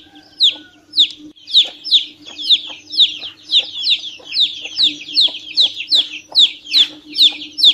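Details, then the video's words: Chick peeping repeatedly, clear high down-slurred notes building into a steady rapid series after a quieter start, with a constant low hum. "PINTINHO PIANDO MUITO - SOM DE PINTINHO VERDADEIRO"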